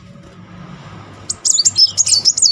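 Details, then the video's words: A loud kolibri muncang sunbird, played as a trigger to get a silent bird singing, bursts into a rapid, high, wavering roll of notes after a second of quiet background hum. "Kolibri Muncang gacor ngeroll || pancingan terapi memancing emosi Muncang macet."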